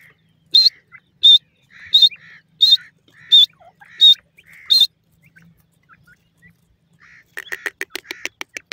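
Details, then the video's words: Partridge calling: seven sharp, high, clipped notes, each with a lower throaty part, repeated about every 0.7 seconds, then a pause with soft faint notes and a quick burst of rapid clicking at the end. "A Day of Fun with Partridge Tweets"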